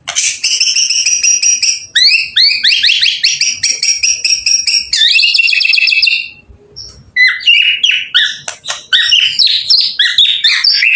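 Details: Nonstop white-rumped shama singing, played as bait to get other shamas answering: rich rapid runs of ringing, rising notes, a brief pause, then a tumbling medley of sharp chirps and whistles.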